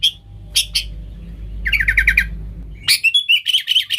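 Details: Sooty-headed bulbul used as a lure for wild bulbuls: a few sharp chirps, a quick rippling series over low background rumble, then a lively burst of bright chattering notes.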